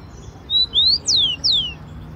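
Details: Wild rufous-collared sparrow from Brazil sings one short phrase of four high whistles: a level note, a rising slur, then two loud downward-sweeping whistles.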